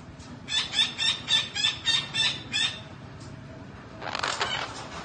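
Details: Green parrot repeating about eight evenly spaced, harsh squawks, a little under three per second, followed by a brief rustling burst. Background hiss and hum.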